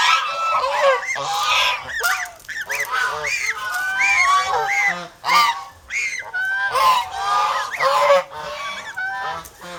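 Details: Several domestic geese from a protective Philippine farm flock call together, a dense chorus of harsh, wavering honks that rise and drop in pitch, with brief dips in volume.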